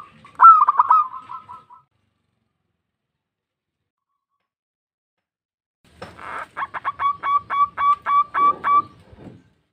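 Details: Vocal local zebra dove summoning companions: a short warbling coo phrase, a long pause of silence, then a fast series of about ten crisp, evenly spaced cooing notes that fade at the end.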